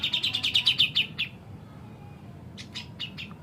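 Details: Grey-cheeked bulbul (cucak jenggot) singing vigorously in high and low phrases: a fast run of about ten sharp, bright chirps, a pause, then four or five more scattered notes, over a low background hum.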